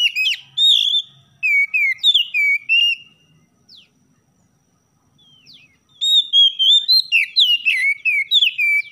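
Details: Oriental magpie-robin singing in the morning, a tutor recording to stir caged birds into song: bursts of loud, sweet whistled notes sliding up and down, with a quiet gap of faint downslurred chips in the middle.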